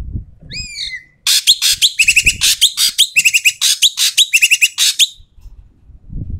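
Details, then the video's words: Asian pied starling calling loudly and harshly, a recording meant to coax silent starlings into song: an opening rising whistled note, then about four seconds of dense raspy bursts and repeated short buzzy triplets, with faint low rumble around. "BURUNG EKEK KELING BERISIK SUARA KERAS DAN KASAR COCOK UNTUK PANCINGAN BURUNG EKEK MALAS BUNYI"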